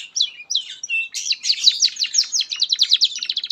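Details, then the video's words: Canary in full song, offered as a master song for young canaries: a few looping whistles, then an accelerating series of bright, clipped notes forming a rapid trill toward the end, no background noise. "SUARA BURUNG Kenari GACOR PANJANG INI Cocok untuk Masteran KENARI PAUD dan Kenari Macet"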